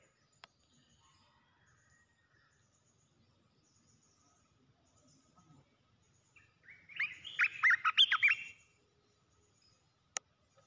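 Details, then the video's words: Caged red-whiskered bulbul used as a decoy bird, set on the ground, displaying and refusing to settle: mostly quiet, then one loud burst of about ten rapid, chirpy warbled notes, with a couple of sharp clicks before and after. "ต่อนกกรงตาแดง รำไม่ยอมลง ตั้งดินเสียเลย suara merbah belukar"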